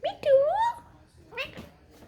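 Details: Pet parrot in a playful mood speaking Punjabi indoors: a short nasal, voice-like phrase with a gliding, rising tone, then a pause and one brief syllable; faint background music.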